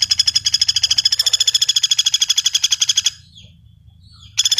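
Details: Common flameback calling with one long, fast rattle of crisp high notes lasting about three seconds, a quiet gap, then the rattle starting again.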